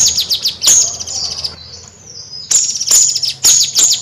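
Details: Bayeman bird in nyrecet song: a fast descending buzzy trill, a sharp high click, a faint thin whistle, then two more loud piercing ticks.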